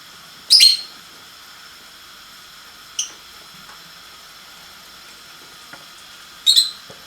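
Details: Lovebird singing in short bursts: a strong shrill screech, a softer brief chirp two and a half seconds later, then another loud harsh screech near the end, with a faint steady hum between calls.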